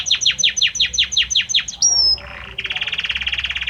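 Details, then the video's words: Male Belgian canary singing to his female: a run of about nine repeated downward-sweeping notes, then a thin high whistle and a fast buzzy trill. "Canta muito este Canário Belga para sua Fêmea - Canary Singing"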